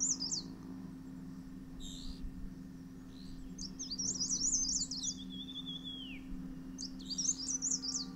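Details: Male Dark Grey Bush Chat nesting in a Himalayan sanctuary, fetching grubs and bees for chicks in a hillside earth bank nest; high scratchy twittering phrases in three bursts, one ending in a long falling whistle, over a steady low hum.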